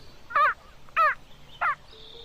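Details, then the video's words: A keel-billed toucan in rainforest gives three harsh, croaking notes about two-thirds of a second apart, with a faint high whistle in the background. "The Keel-Billed Toucan Makes Strange Sounds"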